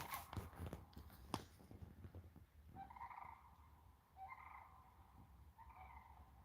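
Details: Cranes calling outdoors near a homestead in Alaska; after rustling and handling knocks, three rolling, trumpeting calls come about every one and a half seconds, distant over low background noise.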